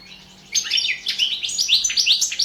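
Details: Goldfinch song recorded for the World Championship in Goldfinch Song, an internet competition: sudden onset of lively, high twittering and upward-sweeping chirps in a fast, jangling sequence.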